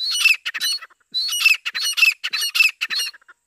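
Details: Grey francolin female, called desi or dakhni teetar, calling continuously in jungle for hunting: rapid runs of shrill, grating, high notes packed closely together, bursts separated by brief pauses, with no other clear sounds.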